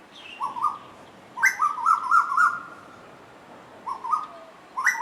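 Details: Two Asian koels singing and playing with each other: short whistled notes near one pitch, some stepping sharply upward, given in loose bursts with quiet gaps, the middle burst a run of several linked notes.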